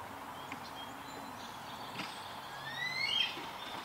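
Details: Young eagle begging for breakfast, giving a single thin, high whistle that sweeps upward near the end, with faint outdoor ambience and soft background hiss.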